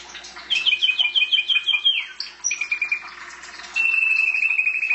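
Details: Pet canary singing: a quick string of bright repeated notes slides downward, then a faster level trill, and a closing sustained buzzy roll of rapid notes.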